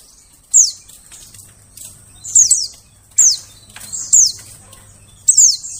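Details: Loud white-eye lure calls for forest birds: clusters of two or three shrill, falling notes coming roughly every second, with fainter chirps between them.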